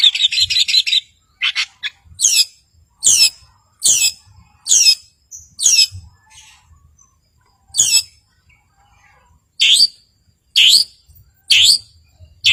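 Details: Long-tailed shrike in full voice, a song meant to provoke rivals and get mute birds singing. A short rapid trill opens, then loud, harsh, rasping notes repeated roughly once a second with gaps between.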